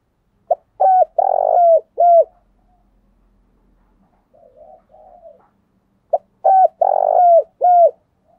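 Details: Spotted dove call used as a decoy to lure wild doves: a phrase of a short note and three loud, mellow coos, the final one dropping in pitch, repeated after about six seconds, with quiet, muffled cooing between phrases.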